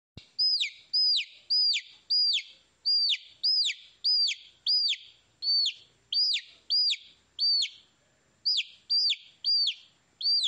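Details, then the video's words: Baby chicks chirping: loud, high peeps that each sweep sharply downward, repeated about twice a second in a steady run, with one short gap, over a quiet background. "Tiếng gà con kêu - Baby Chicks Chirping Sounds"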